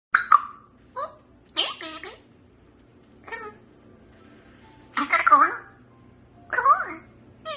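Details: African grey parrot talking indoors: a string of short speech-like bursts with voice-like bands, some ending in clear whistled tones, separated by pauses of about a second, in a quiet small room.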